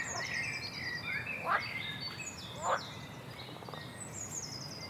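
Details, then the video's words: A bird sings in varied high whistled phrases with sharp downward and upward sweeps, several overlapping voices, a brief rapid pulsed trill near the end, over a low steady background rumble. "عصفور جميل يغرد A bird is singing"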